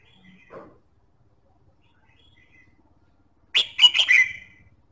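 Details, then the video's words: Red-whiskered bulbul song played to stimulate singing: after a faint note early on, a loud burst near the end of rapid, clear whistled notes rising and falling around a high pitch, with little background. "Kích giọng chào mào"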